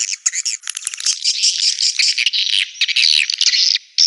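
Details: Swiftlet calls meant for a swiftlet house: a dense, continuous stream of buzzy, raspy chirps running almost without pause, with quick scratchy pulses merging into one another.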